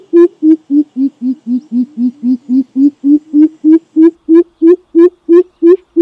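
Greater coucal: a long series of deep, hollow hoots at about three per second. The notes dip slightly in pitch, then climb back. No other sounds.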